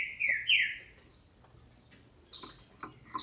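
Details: Female green-winged saltator kept in captivity in Brazil, calling to excite males: two lower descending slurs, a pause, then five high downward-slurred notes at roughly half-second intervals, clean and loud.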